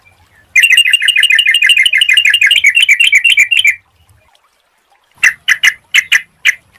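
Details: A yellow-vented bulbul in full song, recorded as a lure to get other bulbuls singing, gives a fast, bubbling run of chattering notes, then a few loud separate phrases.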